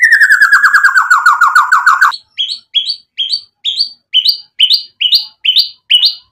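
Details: White-rumped shama in full, lively song meant to provoke other shamas into singing: a fast buzzy descending trill for two seconds, then bright upslurred chirps repeated about every half second.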